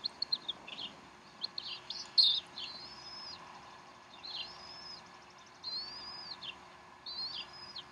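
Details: At the Decorah nest, 12 April 2012 around 3:10 pm Central Time, bald eagle mother feeds her young; thin, high arched whistles repeat roughly every one to one and a half seconds after a cluster of sharp chirps.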